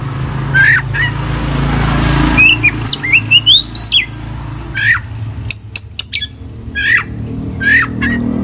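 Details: Oriental magpie-robin (kacer) in active full song with inserted phrases: scattered downslurred whistles, a rising run of chirped notes, then short sharp clicks, over steady traffic-like rumble.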